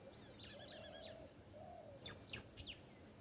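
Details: Grey wagtail near a house: three or four sharp, high, downslurred call notes in quick succession, preceded by other faint chirps and a low soft dove-like coo.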